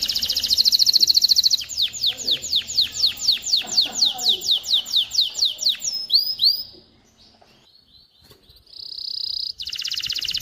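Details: Singing canary, played to train young birds to sing and ready hens for mating: a bright rapid trill, then a string of descending whistled sweeps about twice a second, a short pause, and another high trill.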